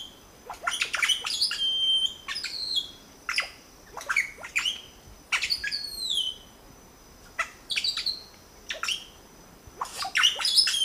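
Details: Nest of red-bellied grackles with three chicks being fed, La Romera reserve, Sabaneta, Antioquia, Colombia, 2012: loud, sharp, harsh squawks, some slurring downward, come in clustered bursts separated by brief quiet gaps.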